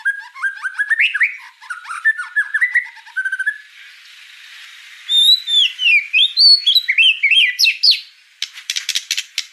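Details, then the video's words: White-rumped shama singing energetically, tumbling whistled phrases, a short hissing lull, then high sweeping notes and descending slurs, ending with a few harsh, buzzy bursts. "Suara kicau burung murai batu gacor"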